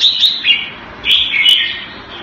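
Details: Brief burst of song from a caged red-whiskered bulbul kept Thai style in Singapore, February 2018: two short slurred, whistled phrases separated by a pause, with sharp clicks.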